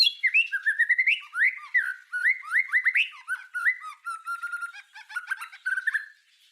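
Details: White-rumped shama singing for songbird tutoring: a varied, chattering run of lower, slurred whistles and quick twisting notes, delivered continuously with scattered high clicks.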